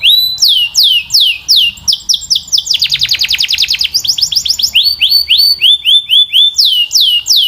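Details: Canary in full song: slurred downward whistles, a burst of very fast buzzy rattling notes in the middle, then bouncy repeated chirps, bright and high with a quiet background.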